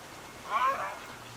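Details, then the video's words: Wild little egret in a fight: one short, harsh, rasping croak lasting about half a second, rough and noisy in texture, with a quiet background. "コサギの鳴き声 + 喧嘩（白鷺） Little Egret / Egretta garzetta"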